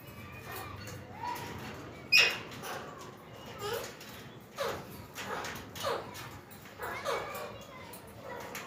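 Several Alexandrine parakeets give harsh, raspy squawks in irregular bursts every second or so, overlapping one another over a low background murmur.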